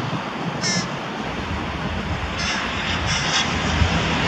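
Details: Harsh, short caws from a carrion crow that is feeding young with prey near Diemerbos, 22 July 2020. One call comes early and a quick cluster of three follows, all over steady aircraft engine drone.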